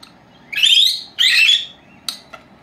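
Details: Two pet female lovebirds aged four months, napping in the house: two long buzzy, harsh chirps back to back, followed by two faint clicks.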